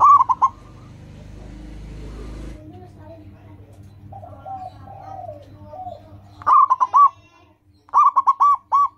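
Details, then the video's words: Local zebra dove in full song, used to prompt other caged birds to sing. Clipped, rolling coo phrases open and close the recording. A stretch of indistinct low sound and softer calls fills the middle. "Perkutut lokal gacor, suara seperti ini bagus sekali untuk melatih burung perkutut cepat bunyi."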